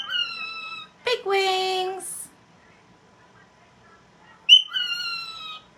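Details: Indoor pet cockatiel talking: a high, falling, voice-like phrase, a harsh broad burst with a sustained lower tone, a long silence, then another sharp-onset, gently falling phrase.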